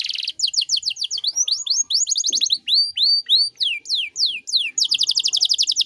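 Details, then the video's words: Canary in full song with ornate 'cengkok mewah' phrasing, meant as master material for young or untrained songbirds: quick series of bright downslurred whistles, some arched, running into a fast high buzzy trill at the end. "Masteran Kenari Gacor Cengkok Mewah"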